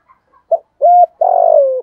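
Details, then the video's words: 'Giọng thổ' cooing from a spotted dove kept as a lure for wild doves: faint soft notes build to a short coo, a steady held coo and a long wavering coo that falls at the end. "Tiếng cu gáy giọng thổ thúc gù giọng hay và rất hạp bổi"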